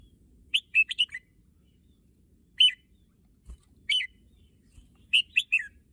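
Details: A red-whiskered bulbul keen on the contest field sings an opening run of four bright notes, then isolated chirps. It closes with a three-note phrase that drops in pitch.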